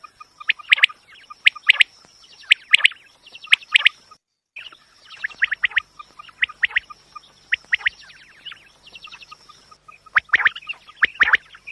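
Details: Quail calls used to attract birds for hunting: sharp, bright three-note bursts repeated about once a second, with short gaps and a faint steady high tone throughout.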